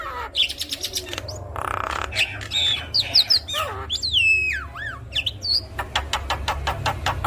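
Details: Javan myna singing 'gacor' with full isian fill, as a prompt for other mynas: quick rattling click series, squawky buzzes, and a long looping whistled slur falling then rising, ending in rapid ticking, with a low hum behind.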